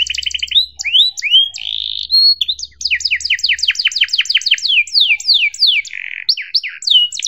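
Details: Singing canary on a tutor recording meant to teach young birds: quick trilled tours of falling notes, a few smooth rising whistles, and a buzzy harsh phrase near the end, with a faint low hum early on.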